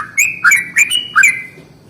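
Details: Yellow-vented bulbul giving a long rolling morning song meant to provoke other bulbuls into singing: five loud, bubbly, slurred notes in quick succession, each dropping then rising, over a faint low hum.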